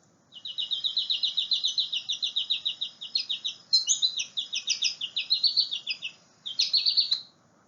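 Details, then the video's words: Goldfinch, described as a noisy little bird, giving a rapid, high twittering run of sweet chirps and bright trills for about seven seconds, with a brief pause before a final burst. "goldfinches are a noisy little bird that sounds like this"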